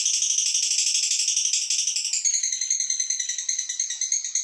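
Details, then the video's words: Rapid chattering trill from a female fighter lovebird used to provoke other birds, a dense run of shrill pulses that turns into more spaced, clicking beats in the second half. "Lovebird Betina Fighter Ngekek Untuk Membuat Emosi Burung Anda!!"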